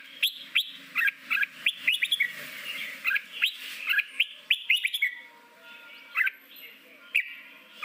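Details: Red-whiskered bulbul training song in forest style for newly caught birds: a lively run of bright chirps and warbles, then sparser single sharp notes, with a low background hum.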